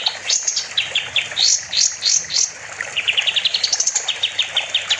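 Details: Energetic kapas tembak bulbul song made for training other songbirds: separate sharp upslurred notes with pauses, followed by a quick steady trill of high chirps.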